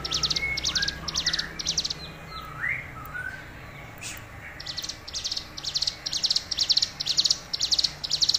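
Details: Tame hill prinia in full song. High, chattering buzzy trills come in short bursts, break off while a few lower rising whistles sound, then resume at about two bursts per second. A low background hum continues throughout.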